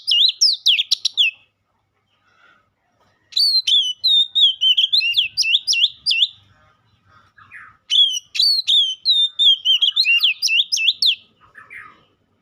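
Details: Three long bursts of varied, fast whistled and warbled phrases from a White-rumped shama, each lasting several seconds and split by short quiet gaps.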